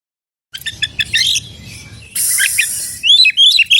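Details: Oriental magpie-robin of the forest (alas) type singing a varied run of sharp high chirps, then a harsh rasping burst, then clear whistled notes sliding up and down; steady low hum underneath.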